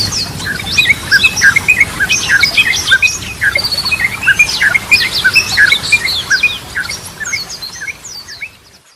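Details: Yellow-vented bulbul song of the ropelan, goklikan and garudaan styles, used as a lure to train birds: fast, varied chattering phrases of short rising and falling notes, dense and repeated roughly three times a second.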